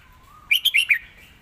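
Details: Red-whiskered bulbul in master-song style with clear, emphasized phrasing: a faint low whistle leads into four loud, bright chirped notes in quick succession, then a fading trailing warble.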